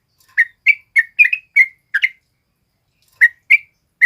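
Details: A sooty-headed bulbul male, singing as a training model for other birds, gives spaced, crisp whistled chirps, about seven in a row, a pause of over a second, then three more.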